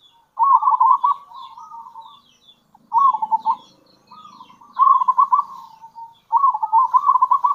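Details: Lively local zebra dove cooing in kerot and bekur style, used to lure other zebra doves; four phrases of rapid trilled coos ending in drawn-out notes, with a faint low hum and distant high chirps.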